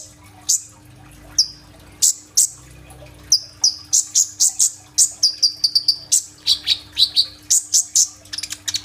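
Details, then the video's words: A sunbird (kolibri ninja) sings actively, delivering shooting-style rolls and borrowed fill-in phrases. Scattered high, piercing chirps speed up into dense, rapid bursts of sharp notes, some with short downward slurs. Recorded on a phone. "BURUNG KOLIBRI NINJA GACOR FULL TEMBAKAN ISIAN ROLL TEMBAK"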